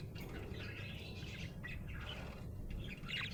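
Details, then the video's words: A happy budgie chatters in steady scratchy warbling, broken by brief pauses, ending in a sharper rising twitter, with a constant low hum underneath. "Happy budgie chirping sound"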